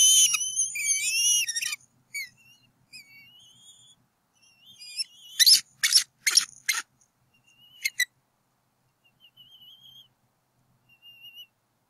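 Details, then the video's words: Adult bald eagles vocalizing at a nest on a Berry College campus in northwest Georgia, April 2018, driving away an intruder; loud wavering whistles open the clip, then quieter whistled notes and a burst of sharp, rapid chittering pulses. "Intruder around the nest"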